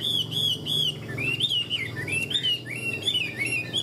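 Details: Caged Chinese hwamei, tame fighting bird, sings three repeated whistled notes followed by a fluid series of rising and falling warbled phrases, with a low hum behind.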